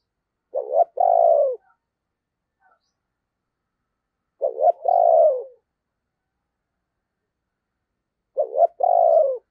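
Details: Spotted dove lure bird cooing in a deep 'thunder voice' to draw wild doves: the same phrase three times about every four seconds, a short hoot then a longer falling coo, with silence between.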